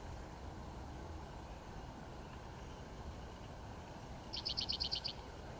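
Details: A male spotted towhee sings one of his songs, a quick, dry trill of about eight rapid notes lasting under a second, at Steigerwald Lake NWR on April 30, 2016, over a steady low rumble of distant traffic.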